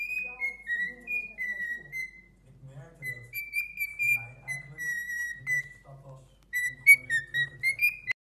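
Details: Pet cockatiel whistling indoors in a small room: a run of clear, slightly sliding whistled notes, some falling and some rising, delivered in quick phrases, with a person's low speech murmuring underneath in the pauses.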